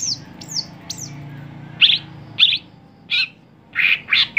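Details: Caged greater green leafbird, a contest songbird: three high curving whistles, then loud rasping buzzy notes repeated at irregular intervals of under a second.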